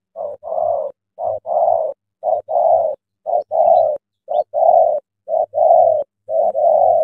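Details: Spotted dove cooing as a tame decoy luring a large wild dove into a trap at early morning: a short note then a longer hoarse coo, the pair repeated steadily about once a second.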